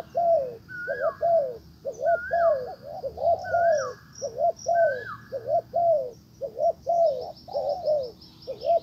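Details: Spotted dove decoy calling back a wild dove, which ignores it and flies off. Low, mellow coos repeat steadily, with higher curling notes interspersed between them and faint chirps of other birds overhead.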